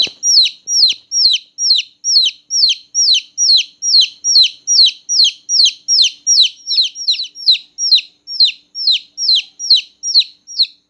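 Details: Newborn domestic chicks chirping loudly at night, a steady rapid run of high, piercing, downward-sweeping peeps, roughly two or three each second, with quiet background.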